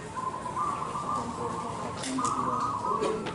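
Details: A zebra dove, a local competition bird, gives soft, rolling cooing phrases, a warbled trill held steady through most of the clip, with faint background hiss.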